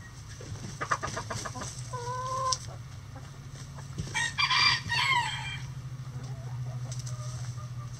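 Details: Chickens in a coop on a sunny day: a pair of rising, tonal clucks, then a loud, harsh, drawn-out crow-like call lasting over a second, over a constant low hum.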